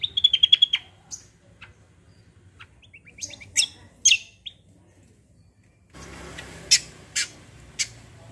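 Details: Cucak kombo, or kecial kombo, opening with a rapid stuttering trill of high notes, then scattered sharp chirps, a pause, and a few loud harsh notes over a low hum.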